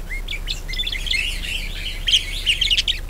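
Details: Budgerigar warbling song used to lure other birds into singing: continuous chattering, twittering warble of mixed whistles and buzzy notes, growing louder and more rapid toward the end.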